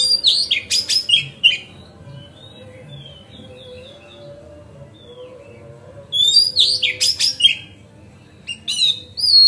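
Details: Magpie-robin singing to provoke other magpie-robins, in loud bursts of sharp, varied whistled phrases that sweep between high and mid pitch, with quiet soft whistles in between and a second burst after a pause.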